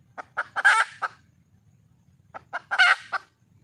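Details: Red junglefowl hen calling to attract a male: two groups of quick clucks, each rising into a loud, raspy squawk, with a pause between; faint low background hum.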